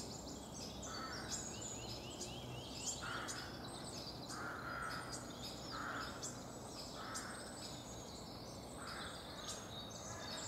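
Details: Middle spotted woodpecker at Helmond on 31 March 2016 gives slow, nasal, drawn-out whining notes repeated every second or two, with other birds chattering and singing brightly behind.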